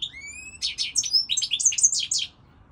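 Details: Goldfinch song opening with a few thin, rising whistled notes, then breaking into a fast, liquid run of chattering twitters and clipped, tinkling syllables that ends abruptly.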